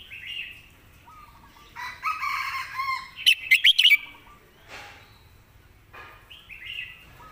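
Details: Red-whiskered bulbul used as a song-tutor bird, with clear, well-phrased notes: a quick run of loud whistled notes in the middle, surrounded by harsher chattering and warbling from other birds.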